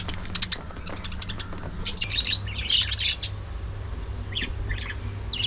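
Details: Early morning feeding time for budgerigars: a rapid run of clicking chirps, then louder warbling squeaks and short scratchy calls from several birds, with a low hum underneath.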